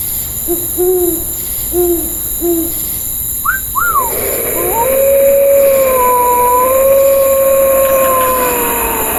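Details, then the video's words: At night, an owl gives three short, low, soft hoots about a second apart, then a long, wavering wolf howl follows over a steady hiss of insects and wind. "Owl sound"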